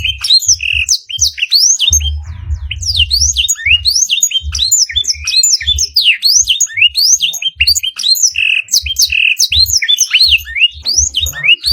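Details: Canary master training song filled with blackthroat phrases: a dense, fast run of high whistled sweeps and chirps, with short buzzy notes near 0.8 and 8.5 seconds, over soft low thumps throughout.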